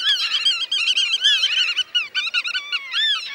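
Many black-tailed godwits call at once: nasal, wavering, whistled notes that overlap in a fast, rising-and-falling chatter.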